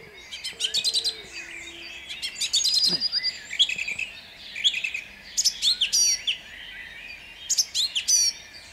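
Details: At dawn in Jabłonna on 29 April 2021, a song thrush delivers loud, varied phrases in bursts of rapid repeated notes, clear whistles and rattles, separated by short pauses, with faint low calls behind.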